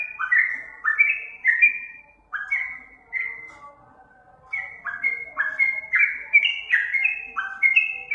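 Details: Sooty-headed bulbul (trucukan) master song to trigger answers: a burst of falling whistled notes, a short lull, then a longer, denser run of whistles rising and dipping.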